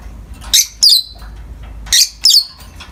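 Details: A pair of pet peach-faced lovebirds greeting the morning light with shrill chirps in two pairs, each pair quick and sharp, harsh notes falling slightly, against quiet indoor hum.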